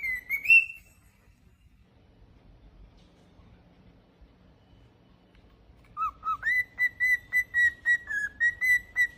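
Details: Pet cockatiel singing: a rising whistled phrase, a few seconds of quiet, then a run of about a dozen steady, clear whistled notes in quick succession.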